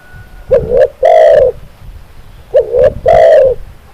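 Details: Spotted dove singing, presented as a training recording to get birds singing actively: low, mellow coo phrases of two short rising notes followed by a longer drawn-out coo, given twice about two seconds apart, with a slight room echo.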